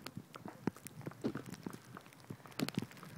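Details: Magellanic woodpeckers, four feeding together in Torre Valley, pecking a hard tree for insects. Sharp, irregular knocks, about a dozen in three seconds, some louder and hollow, over a quiet background.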